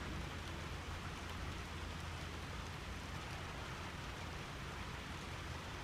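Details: Quiet, even rain-like hiss with a low rumble underneath and no animal sounds.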